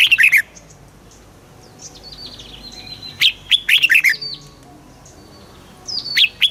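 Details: Caged red-whiskered bulbul in Thailand, southern master-phrase song used to stimulate birds: short bubbly warbled phrases at the start and middle, softer thin whistles between, ending on a high slurred note.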